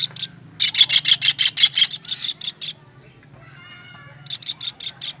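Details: Kingfisher calling on a songbird-training master recording: a fast burst of loud, piercing, rasping notes, then softer repeats and a thin buzzy trill, with a low steady hum beneath.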